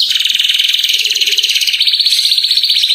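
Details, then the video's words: Atlantic canary lure song for prompting other canaries: a dense continuous rolling trill that steps up in pitch midway, quick and rhythmic throughout. "Kenari extrajos suara jernih"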